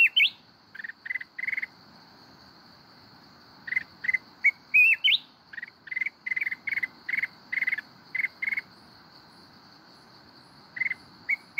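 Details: Red-whiskered bulbul, a mountain bird, singing in wild-forest style ('kít bổi'): rapid runs of short buzzy notes repeated in clusters, broken by a few rising whistled phrases, over a steady high insect-like hum.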